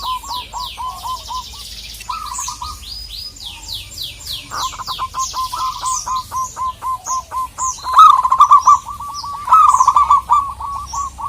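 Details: Local zebra dove calling to provoke a rival. It repeats short phrases of rapid coos, with a louder, more intense run near the end. High, sweeping chirps from other birds fill the background.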